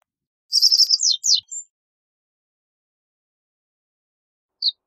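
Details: Reed bunting giving one brisk song phrase, a fast high rattle followed by a couple of sliding notes. Quiet follows until one lone chirp near the end.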